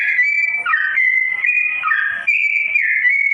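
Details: Sooty-headed bulbul song in a slow tone, used as master training audio for straw-headed bulbuls: continuous clear whistled notes, steady or gently sliding, with brief dips into lower warbled notes; no other sounds.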